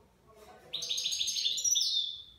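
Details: Young goldfinch aged nine months in Shami style song, a single rapid twittering, buzzy phrase lasting under two seconds that ends in a drawn-out high note.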